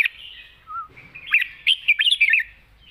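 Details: Red-whiskered bulbul giving a quick, long-phrased wild-style song: a tumbling run of bright, lilting whistled notes in the second half, after softer twittering.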